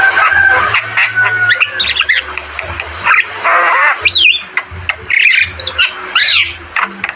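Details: Javan myna in full song, recorded for training caged mynas: rasping harsh passages alternate with sharp downward-swooping whistles and short chatters, loud and uneven in rhythm.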